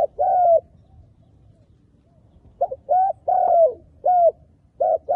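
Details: Lure call of a decoy spotted dove drawing wild spotted doves for trapping: a drawn-out falling coo, a pause of about two seconds, then a rhythmic phrase of short and long mellow coos, loud and close.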